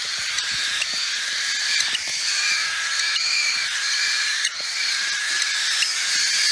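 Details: Hungry hand-fed cockatiel chicks keep up a steady, raspy, wheezing chorus of loud begging calls, asking for food.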